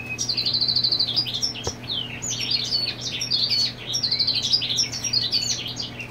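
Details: European goldfinch male marking territory while the female sits on the nest: rapid tinkling twitter of short high notes, opening with a flat buzzy trill, running almost unbroken, over a faint steady low hum.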